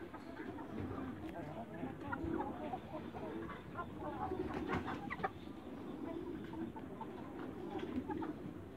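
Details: Backyard flock of young Light Brahma chickens clucking in short irregular bursts, a busier patch mid-way, with constant low rumbling and faint voices behind.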